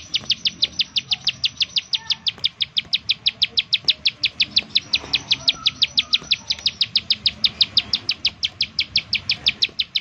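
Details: Bar-winged prinia giving a rapid 'nembak' call series used as a lure to make other prinias sing: sharp high chips repeated about three times a second, steady and unbroken for the whole stretch, with faint low background noise.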